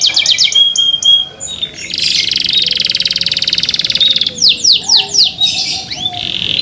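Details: Caged canary in song: fast rattling trills, sweeping downslurred notes and a long buzzy rolled phrase, with a faint steady low tone underneath.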